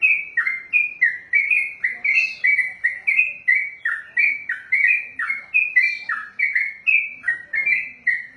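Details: Sooty-headed bulbul, kept for singing competitions, performing its long 'ropelan' song: a continuous, rhythmic stream of bubbly slurred notes, about three each second, alternating lower dips and higher whistles throughout.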